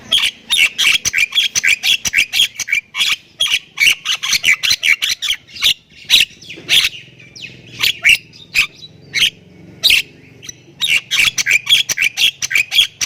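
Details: Thai-type Javan myna pouring out nonstop 'full isian' song suited as a tutor recording: dense bursts of scratchy, rasping chatter in quick succession, a few brief pauses, and a faint low hum in the background.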